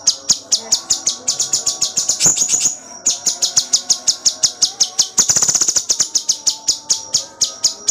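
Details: Cucak cungkok singing full gacor with dense 'tembakan' bursts, recorded as tutor song for songbirds: sharp high chirps repeated about four per second, broken by a brief rapid trill and a short pause.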